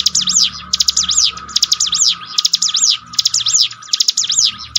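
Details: Bar-winged prinia singing bright, piercing phrases made of fast sweeping notes, delivered in a regular run of six bursts with short gaps, played to strengthen a caged bird's nerve.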